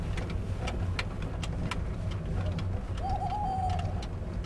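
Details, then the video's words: Tawny owl hooting around 5 a.m. at the Château de Lorge, Côtes d'Armor, France, in 2011, as dawn breaks in calm conditions; one wavering hollow note rises from heavy low rumbling and footstep noise. "On entend une chouette hulotte."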